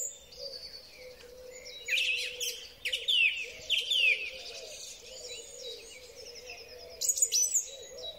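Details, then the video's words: A song thrush sings in spring, recorded by Huawei P30 Pro: rapid scratchy, twittering notes with sharp descending whistles in a burst, then a short high phrase after a pause, over a soft constant hum. "Drozd Śpiewak. Wiosenny koncert ptaków."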